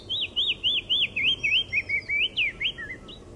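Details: Wild Icterine Warbler singing a series of about a dozen clear, looping whistled notes at a steady quick pace. A short lower phrase ends the series, over a faint low rumble.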